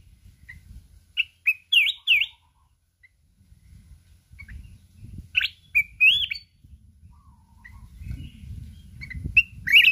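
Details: Contest singing by a mountain red-whiskered bulbul that keeps flapping its wings, voiced in the wild 'kít bổi' style. Several loud, bubbly warbled phrases come in bursts, over a steady low rumbling background.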